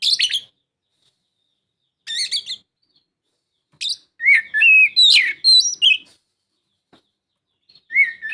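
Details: An Oriental magpie-robin's song serves as a prompt for a lazy songbird: short harsh chatters at first, then a lively cluster of twisting whistled notes, with a final phrase starting after a pause.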